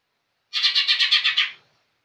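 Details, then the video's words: A young green leafbird delivers a tight, even series of eight scratchy chirps in about one second, a steady rhythmic chatter in gacor style against a quiet background. "Cucak ijo muda super gacor"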